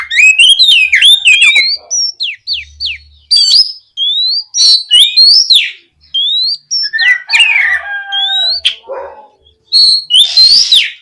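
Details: Gacor ngeplong singing from an oriental magpie-robin, played to prompt other magpie-robins to answer: rapid varied whistles, sharp downslurs and rising sweeps, with scratchy interjections and brief pauses across eleven seconds.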